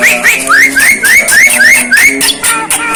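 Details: Unusual sounds from a Javan myna: a series of bright, upslurred whistled notes, about four per second, with a steady low tone like faint music underneath.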